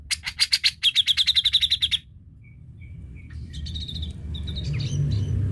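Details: Lure recording of a grey-cheeked bulbul meant to prompt another bird to sing: a two-second burst of about fifteen fast, sharp chattering notes, then quiet faint whistles as low background noise grows.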